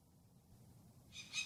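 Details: Peregrine falcon adults at a nest ledge on Mount Tom, western Massachusetts, in 2015 circle overhead in full attack mode as a person climbs to their chicks; one gives a harsh, grating alarm burst after a second of quiet with a low background rumble.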